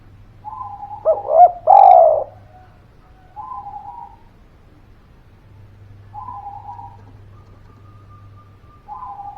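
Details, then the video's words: Lure recording of a lively spotted dove: soft level notes lead into a loud run of quick bent coos, followed by several quieter, even, drawn-out tones spaced a few seconds apart, with a faint low hum. "Suara Pancingan Derkuku Gacor Buat Pancingan Burung Malas Bunyi, Langsung Nyaut"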